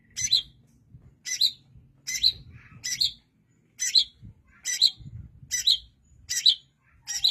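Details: Long-tailed shrike, kept as a songbird, singing short bright harsh phrases with a squeaky upper edge, repeated roughly every 0.8 seconds; low rumbling background noise underneath.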